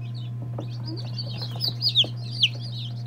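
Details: Day-old chicks of several breeds, including Lavender Orpingtons, Marans, Silkies, Seramas, Legbars and Salmon Faverolles, peep in thin, high, down-slurred notes, quiet at first and then louder, over a steady low electrical hum.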